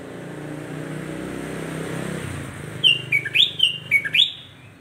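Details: Traffic rumble fades, then a sooty-headed bulbul (kutilang jawa) gives a lively string of whistled, up-and-down slurred notes meant to provoke other bulbuls.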